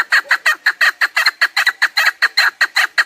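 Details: Loud chukar partridge calling in quick succession, roughly six harsh, clucking chuk notes per second, steady throughout, in a recording made for partridge hunting.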